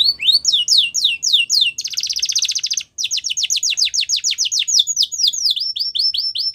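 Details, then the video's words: Yellow canary song in the wild, changing tours of quick downslurred whistles, a dense buzzy rattle in the middle, a short break, then more rapid swept notes. "Yellow Canary Singing In The Wild"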